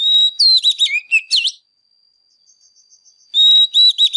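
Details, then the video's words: A fired-up ('căng lửa') Oriental magpie-robin sings while dancing; the recording is used to stir other birds to sing. Clear level whistles and quick looping slurred notes, then a pause with faint ticking, then more bright whistles. "Chòe Than CĂNG LỬA HÓT MÚA"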